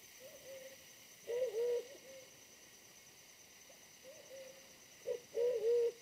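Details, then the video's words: Wild pigeon lured during decoy trapping, smaller-bodied than the decoy bird but very aggressive: two loud, wavering low coos about four seconds apart, each with a soft drawn-out hum after, over steady high insect hiss. "mikat merpati hutan BL bodi lebih kecil dari pikat tapi ganas banget"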